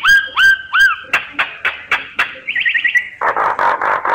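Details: Myna calls used to lure birds during survey work: three rising whistled notes, a run of sharp clicks, a quick trill and low croaking notes.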